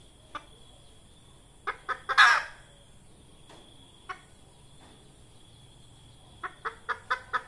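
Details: Hen red junglefowl calling, a sound used as a lure when trapping wild junglefowl: scattered soft clucks, a quick run of three clucks into a loud rasping squawk, then a closing burst of five rapid clucks over constant faint hiss.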